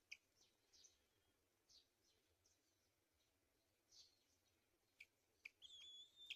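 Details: Black-winged kite, feeding its young: thin, high chirps come scattered and quiet, ending in a drawn-out whistled note near the close, over faint background hiss.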